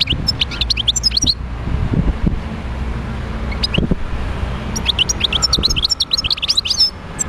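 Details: Goldfinch in the wild at Médéa twittering in a short opening burst and a longer closing run of bright, rapid chirps, with vehicle-like rumble and thumps in between.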